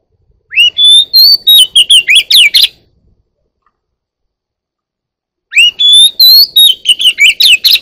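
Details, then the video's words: White-rumped shama, one year old, gives two loud song phrases several seconds apart. Each opens with a rising whistle, runs into a string of clear warbled whistles and crisp chirps, and separates from the next by silence. "beautiful 1 year old bird sings || Chòe than 1 năm tuổi bộ đẹp mau mỏ"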